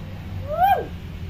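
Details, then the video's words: Tame common hill myna that imitates human speech, one clear whistled note sliding up and then down again over about half a second, with a soft low hum underneath. "BURUNG BEO JINAK PINTAR NGOMONG"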